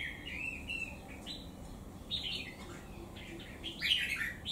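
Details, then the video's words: Caged wild-caught bird, kept three months, with one white claw, in full song against a strong rival bird; quick chirpy, bubbling phrases in bursts, ending in a louder, brighter flourish over faint background hiss. "Siêu Bổi 3 Tháng Lồng | Ché Đè Chim Cứng, Bung Xoè Hết Bản"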